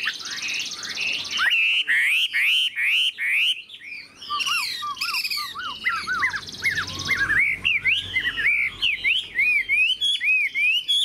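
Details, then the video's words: Caged Chinese hwamei, a large-bodied cage bird, singing a loud varied song of rapid whistled phrases, rising and falling slurs between mid and high pitch, with brief pauses and sharp chirps throughout. "Chim họa mi bộ to như khướu, dáng ngũ trường, giọng hay"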